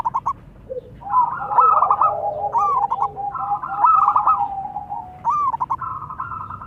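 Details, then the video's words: Local zebra doves answering one another, male and female, with fluttering trilled coos of quick chopped notes, overlapping voices and short gaps between phrases. "Suara perkutut lokal saling sahut."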